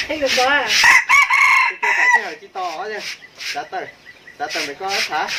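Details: Rooster crowing, with several harsh, wavering harmonic crows that rise and fall in repeated bursts, some overlapping, and short gaps of quiet between them.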